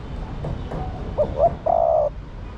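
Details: Female spotted dove calling to excite the male. Faint soft notes lead into two short rising hoots and one prolonged, level coo.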